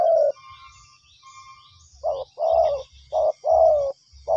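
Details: Spotted dove answering a lure: a coo, a gap with faint higher whistles, then several low rough coos, the longer ones falling slightly, over a soft low rumble.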